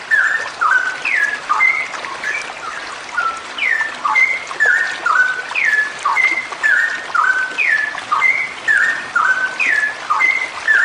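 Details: Female straw-headed bulbul giving an extended rapid 'ropel' song. A bubbling series of whistled down-slurs repeats in a tight rhythm, about two phrases a second, for the whole stretch. Faint hiss sits behind it.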